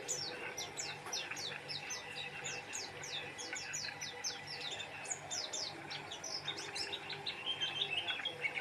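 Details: Energetic pleci song from an Oriental white-eye: dense, unbroken streams of high, quick down-slurred tweets and trills, growing busier toward the end over a steady low background hum.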